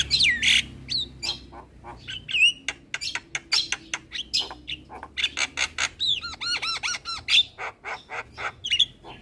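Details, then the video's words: Javan myna master song meant to set other birds singing, mixing loud harsh bursts, rapid clicks and a run of arched repeated whistles near the middle, all quick and dense. "Jalak kebo Gacor Parah Bikin Burung Lain yang Dengar Ikut Bunyi - Masteran Jalak Kebo Juara"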